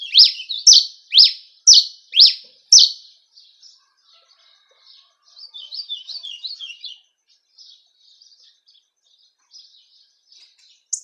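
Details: Campina-style singing by a cravina of Rio Grande do Norte, Brazil: five loud falling high notes in quick regular succession, then a softer rambling twitter and a final sharp chip.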